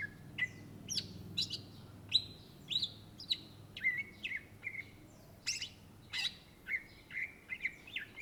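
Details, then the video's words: Greater green leafbird, a native Indonesian bird kept by bird lovers, singing energetically: varied whistled phrases and sharp downward sweeps, some notes slurred near the middle register, delivered in quick bursts about every half second over faint low hum. "SUARA BURUNG CUCAK IJO GACOR , TELER"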